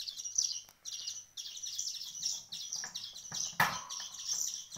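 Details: Hand-fed nestling birds, a week into hand-rearing, give continuous high, rasping chirps in bursts that swell and fade, with one loud thump partway through.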